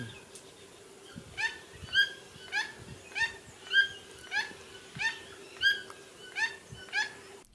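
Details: In Colombia, near ponds full of birds, a toucan sings a run of about a dozen hoarse, yelping notes, one every half-second or so, over a steady low insect-like hum.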